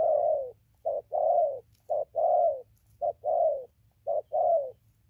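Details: Spotted dove cooing steadily, recorded 15 November 2020 as it moved from a tree to the ground: a rhythmic series of short clipped notes each followed by a longer hollow falling coo, about one phrase per second, clean and quiet.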